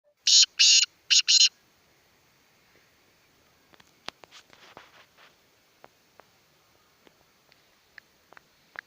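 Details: Black francolin, known locally as kala tetar, giving one loud harsh burst of four grating, buzzy notes in two quick pairs at the start, then near silence with scattered faint clicks and taps.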